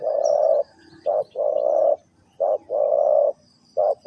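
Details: Spotted dove from Ninh Thuận calling in the three-coo hanging style: deep, hoarse coos in phrases, short notes followed by long drawn-out ones, repeated with brief pauses. Quiet background.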